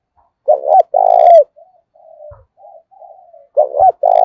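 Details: Decoy spotted dove cooing in the 'thổ sấm' style to stimulate other birds: a quick double note and long purring coo, faint wavering low notes in between, then another double note beginning the next phrase.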